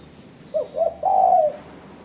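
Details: Spotted dove calling, used as a lure to challenge rivals; a soft short coo, a second coo, then a sustained longer coo tapering downward.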